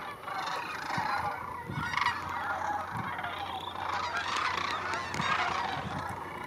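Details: Thousands of Sandhill cranes gathering in late August at Creamer's Field National Waterfowl Refuge, Fairbanks, Alaska, resting before their southward migration; a dense chorus of overlapping rolling, trumpeting calls with no pause.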